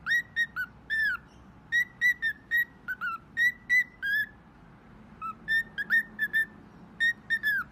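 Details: Pet bird sounding bright whistled beeps in quick clusters of two to four, some notes sliding downward at the end, with near-silent gaps between clusters and faint room hum.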